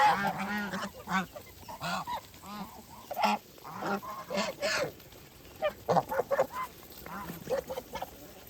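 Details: Geese calling as they feed on a rural farm: clusters of short nasal honks early on, then scattered quieter calls and a few sharp higher notes toward the end.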